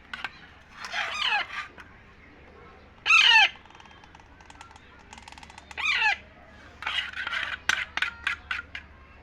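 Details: Baby Indian ringneck parakeet being fed as a pet, giving harsh, raspy bursts of begging calls in several spaced runs, the last a rapid stuttering series of short notes, over faint room hum.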